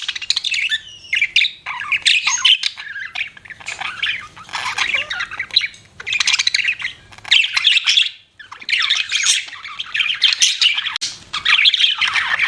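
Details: Pet budgerigars keep up a long, busy chatter of harsh squawks, raspy warbles and quick chirps in uneven bursts with brief pauses.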